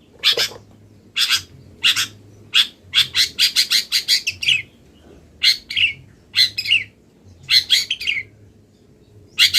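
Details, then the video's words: Moulting long-tailed shrike in full song stuffed with mimicked wild-bird phrases: loud scratchy notes, some in rapid runs of five or six, others spaced about a second apart, with short silences between bursts and a low background hum. "MASTERAN CENDET FULL ISIAN BURUNG LIAR"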